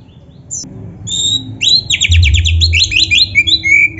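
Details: Caged-bird training recording of kacer (Oriental magpie-robin): scattered high notes, then a fast rattling series of repeated buzzy chirps, nearly three per second, ending in a long whistle, with a low rumble underneath.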